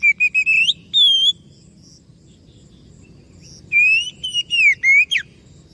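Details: White-rumped shama singing as a lure to draw replies from other birds: a run of short rising whistles, a sustained clear note, a pause, then a burst of slurred, descending whistled notes ending in a sharp downward stroke.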